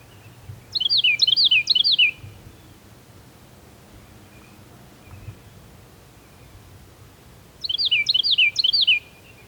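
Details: A wild songbird recorded outdoors on October 5, 2022, with a phone and stereo microphone, delivering two short bursts of quick, high, down-slurred whistled notes about six seconds apart, separated by quiet with soft distant chips.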